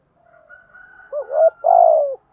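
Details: Spotted dove cooing to call and provoke a rival to fight: faint soft lead-in notes build into a looping hooked note and end in one loud, drawn-out mellow coo.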